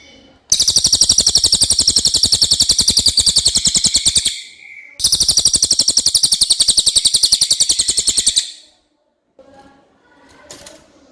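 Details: Clear common iora song for tutoring songbirds: two long bursts of rapid rattling trill, each several seconds of tightly repeated sharp high notes, separated by a short gap, ending with faint knocks and quiet.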